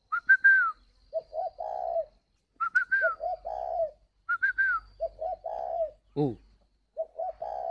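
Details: Caged spotted dove at a Ba Vì, Hanoi bird farm, Vietnam, repeating mellow three-part coos: two clipped notes and a long held note, about four times. Higher downslurred whistles precede each phrase and a man says 'ô' once.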